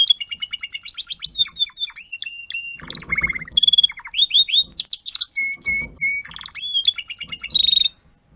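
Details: Adult Timbrado canary tutor singing to teach young canaries, recorded 2021: varied song of rolling trills, rapid clicking bursts and held whistled tones, phrases changing every second or two, stopping abruptly near the end.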